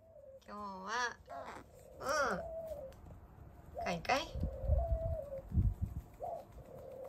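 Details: A captive carrion crow with disabled leg and wing, recorded 13 September 2022, gives loud, nasal, wavering cries in several bursts, some rising and falling in pitch, amid indoor rumble and people talking.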